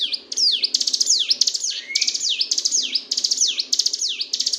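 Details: Sunda bush warbler, locally ciblek gunung, singing without pause as a master recording for songbird training: unbroken chains of piercing, high, downward-sliding notes laced with quick clicking bursts, with one lower rising glide midway.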